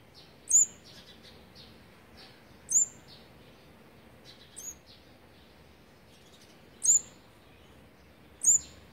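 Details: Nestling-feeding day 18 for a fourth olive-backed sunbird brood, 8 March 2020: five loud, piercing high chips at uneven intervals, with fainter thin notes scattered between them.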